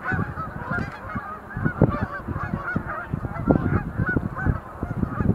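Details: Sandhill cranes performing display leaps at Montezuma National Wildlife Refuge visitor center, November 2020: a dense chorus of overlapping rolling, honking calls, with low rumbling thumps of wind or handling noise throughout.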